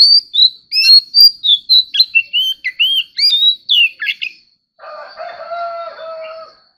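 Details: Oriental magpie-robin in competitive singing, prompted to sing: rapid run of clear, varied whistled notes, some rising and some falling, for about four seconds, then a pause and a steady harmonic drone-like tone.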